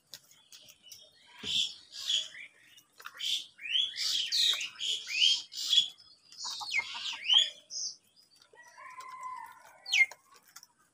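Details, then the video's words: Crows squabbling while fighting over food: an angry, rapid run of harsh, raspy squawks and caws in uneven, overlapping bursts, with a brief quieter lull near the end. "Kaka sound and noises of Crow birds | Crow bird Fight for Food | Angry kauwa ki awaaz"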